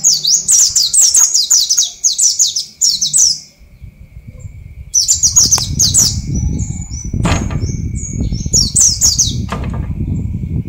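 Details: Oriental white-eye of the dakun bali type singing naturally in the morning while set out in the dew, in the wild ngalas style: rapid runs of thin, high descending chirps in repeated bursts, with rustling and thumping noise behind.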